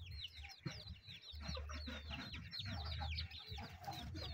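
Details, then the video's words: While chickens eat, a steady stream of high falling peeps runs over a persistent low hum and soft pecking sounds. "The sound of chickens eating"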